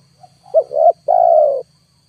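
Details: Spotted dove used to lure wild birds. A faint short lead note, a rising double coo, then a sustained, slowly dropping coo over a low electrical-sounding hum.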